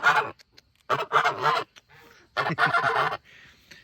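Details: Farm goose in a mixed flock of Chinese and African geese honking toward the camera, said to sound off at everything that comes out and to warn of predators; loud harsh honks in three bursts, the middle and last doubled, with quiet gaps between.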